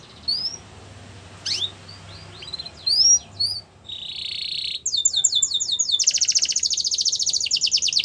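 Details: Canary training song: scattered rising whistles and chirps, then a sustained buzzy note followed by fast repeated descending trills and a dense high rolling trill.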